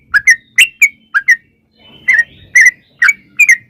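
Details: Lure song of a sooty-headed bulbul to provoke singing: short bright whistled pairs, each with a rising then falling slur, in groups separated by a brief pause, over a low background hum.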